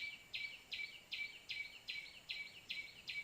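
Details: Call of the white-breasted waterhen, played to lure birds in for trapping. Rasping, clipped notes come in an even run, about one every 0.4 seconds, and each ends in a short tonal streak.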